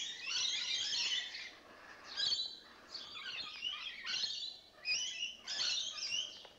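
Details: Rainbow lorikeets, several birds that have just moved in, calling with harsh, buzzy screeches in dense overlapping bursts of about a second each, broken by short pauses.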